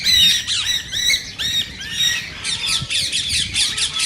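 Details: Green rose-ringed parakeet calling, said to encourage singing and mating: a rapid string of shrill, scratchy squawks, each with a sharp downward sweep, continuing without a break.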